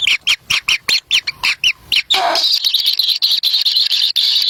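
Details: Kingfisher young at the nest, competing for a black lizard brought by the adult. Short, downward-slurred, grating calls repeat rapidly, then merge into a continuous harsh, hissing chorus.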